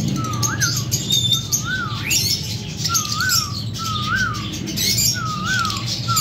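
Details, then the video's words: Lovebirds from a breeding pair give wavy whistled chirps repeated about once a second, each rising then dipping, with faint higher chirps and a low humming background. "Lovebirds Singing &Chirping Sounds"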